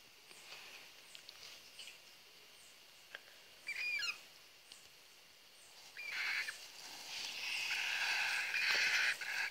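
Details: Cockatiel chicks bred by a pet pair: faint soft chirps and a short wavering whistled phrase, then growing loud hissing, wheezy rasps that run together toward the end.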